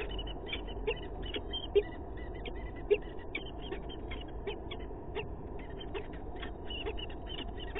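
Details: Male peregrine falcon ousting the female from their Sheffield nest, England, on 27 April 2022; rapid, irregular runs of clipped, raspy chip notes, about fifty a minute, with a few louder knocks over constant background hum.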